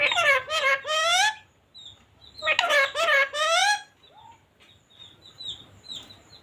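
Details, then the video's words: Talking parrot gives two quick, harmonically rich speech-like phrases about a second apart, then a short rising squeak, with soft high-pitched whistling in the background. "parrots talking"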